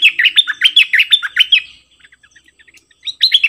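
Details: A cream-vented bulbul, recorded 18 June 2021, sings a fast burst of bubbly, chirping notes, breaks off briefly with soft ticks, then starts the lively phrase again.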